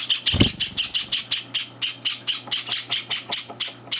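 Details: Three-day-home Java sparrow chicks begging at morning feeding; evenly spaced shrill chirps, roughly four per second, with a soft low thump near the start.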